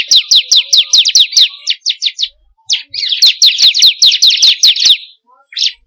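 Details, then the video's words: Training recording of a 'kristal' bar-winged prinia: bursts of sharp, high downslurred notes in quick succession, a short stuttering trill, a pause, then a longer rapid chirp run and one final note. "pancingan burung ciblek kristal paling ampuh || mp3 burung ciblek"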